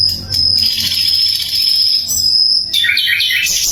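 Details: Clear, loud sikatan londo flycatcher song used to tutor songbirds; a long thin high whistle held for about two seconds, then a burst of fast twittering notes, with a low hum beneath.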